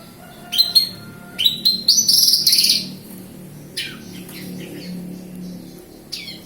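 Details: Local Javan bush lark from Kediri, Java, in lively song: a varied run of high sharp notes and rapid trilled chirps, then fainter scratchy phrases and a final thin note, with a low hum underneath.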